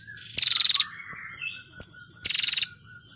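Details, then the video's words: Female prinia, recorded for songbird training, makes two short, dry, rattling trills of fast pulses about two seconds apart, with soft whistled notes from other birds between them. "Burung Prenjak Betina Gacor Ngetirr"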